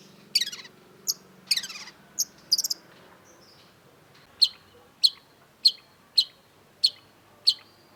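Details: Cendet (long-tailed shrike) song: a few rough, scratchy bursts at first, then a quiet gap, then six sharp, clear high notes spaced about every half to three-quarters of a second.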